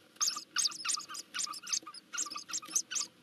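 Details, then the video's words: Nest-camera recording from Nagyberény, Hungary, 12 June 2024: hungry Eurasian hoopoe chicks begging as they are fed. Rapid, buzzy, high-pitched squeaks come in dense clusters, several per second, overlapping from more than one chick. "Dudek, Eurasian hoopoes (Nagyberény, Hungary) - karmienie maluszków"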